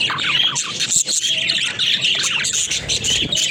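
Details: Pet budgerigars playing together in a cage, filling the air with sharp squawks, high chirps and chattering warbles from several birds at once.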